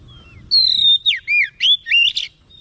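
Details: Oriental magpie-robin, agitated and responding, delivering a fast run of loud swooping whistles that rise and fall in quick succession, five connected phrases over about two seconds, clear with little background.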